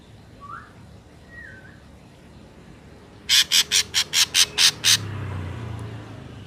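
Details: Ashy drongo recording used as a lure for bird trapping: two faint whistles, then a fast burst of eight harsh, rasping notes about a fifth of a second apart, followed by low rumbling background noise.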